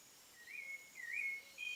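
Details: A thrush sings at sunset in the countryside: three clear, slightly wavering whistled phrases in quick succession at a fairly steady mid-high pitch, over a faint hiss of evening background noise.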